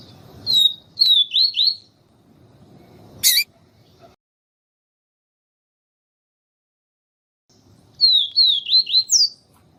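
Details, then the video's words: Papa-capim (Sporophila nigricollis) in the siu siu song style, used as a tutor song alongside a calling female to stimulate the male: two bursts of quick slurred high whistled notes, separated by silence, with a sharp click between. "Canto Papa capim siu siu com Fêmea chamando para Esquentar papa capim siu siu"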